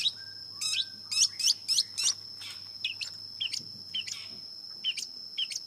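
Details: Varied, scratchy phrases from a long-tailed shrike: a cluster of loud rasping notes, then softer clipped chirps spaced irregularly, over a persistent high whine and low hum.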